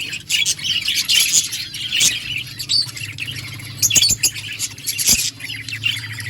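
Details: Budgerigars keep up bright, rapid chirping and warbling, with occasional sharp clicks and a constant low hum in the background.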